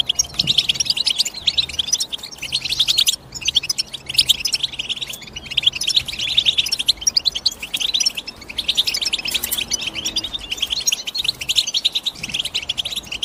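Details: Long run of European goldfinch twittering, high liquid chirps and rattling trills in fast succession, briefly dipping around the middle before resuming just as busily, with a faint low hum behind.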